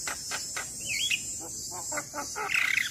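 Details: Black-winged myna master song for training young birds that are reluctant to sing: a mix of harsh broadband bursts, a slurred whistle, and a rapid chattering trill at the end, with a steady high insect-like hiss throughout.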